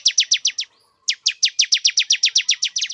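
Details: A male bar-winged prinia sings to bring a female into breeding condition. Fast sharp chipping notes, about eight per second, stop briefly, then resume in a steady, insistent run to the end.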